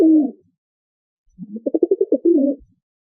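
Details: A pigeon gives one short low coo, then after a pause a longer phrase of quick throbbing pulses that ends in a drawn-out, soft, mellow coo. The background is quiet.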